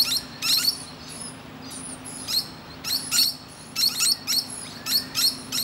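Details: A musk lorikeet resting on a branch and chattering to other birds gives harsh, piercing screechy notes in quick pairs and clusters, with a constant low electrical-sounding hum beneath.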